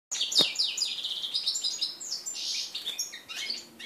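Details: Red-breasted flycatcher x canary hybrid mule from 2013, first song since its 2013 moult, recorded 11 January 2014: rapid high warbling of buzzy trills and bright slurred whistles, flowing without pause.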